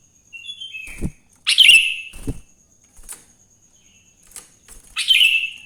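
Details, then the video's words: Sooty-headed bulbul in the wild at morning, recorded to prompt other bulbuls to sing. A thin high note opens, then one loud bubbly burst and another at the end, with scattered clicks and taps in between. "Suara Burung kutilang GACOR di Pagi hari‼️ Joss Buat Pancingan Kutilang Bahan Agar Cepat Bunyi"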